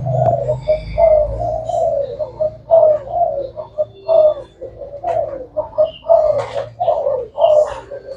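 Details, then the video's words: Spotted dove of the Thai black type, kept for calling all day, giving low, hollow coos in a steady string of short phrases with brief pauses, overlapping coos throughout, faint chirps above. "Cu gáy thái đen chơi tối ngày"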